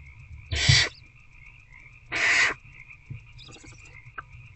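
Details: Barn owl adult feeding an older owlet in nest box C at night, 19 February 2024; two loud harsh hisses about one and a half seconds apart, followed by a faint buzzy rustle, over constant hum.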